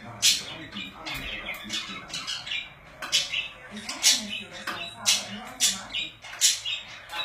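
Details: Busy chatter from pet budgies: rasping squawks and clicking chirps repeated roughly every second, interleaved with softer babbling warble notes in a small room.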